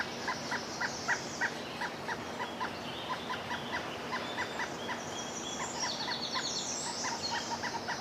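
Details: Pileated woodpecker at its nest: a long series of evenly spaced, clipped mid-pitched notes, about three a second, with higher twittering from other birds behind it.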